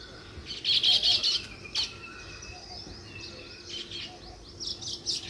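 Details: Sparrows give a loud quick run of high chirps early on, followed by softer, irregular chirps and short chattering bursts.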